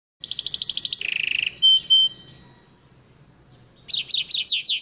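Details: Goldfinch-canary hybrid (bandook) singing in the Shami (Levantine) style: a fast, even high trill of repeated notes, then a lower buzzy roll, two bright whistled notes, a pause, and a closing run of rapid falling chirps.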